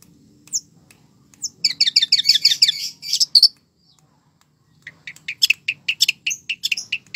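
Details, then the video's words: Long-tailed shrike singing actively, its song rich in isian fill-in phrases: a quick burst of high, chattering, stacked notes around two seconds, a pause, then a run of sharp, spaced chirps repeated roughly three times per second. "cendet gacor isiannya mewah banget"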